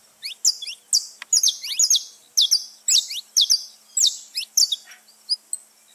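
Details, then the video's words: Free-flying saffron finches gathered in nature: clusters of sharp, high, bright chirps about twice a second, separated by short gaps, several birds overlapping. "festa dos canário da terra livre na natureza"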